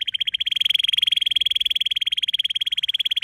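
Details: A canary's rapid, rolling trill of identical buzzy notes, repeated many times per second at a steady pitch for the whole stretch.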